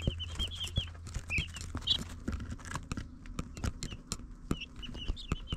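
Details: Baby chicks on a live cam give scattered high peeps at the start and end, while frequent sharp taps and pecking clicks dominate over a low hum.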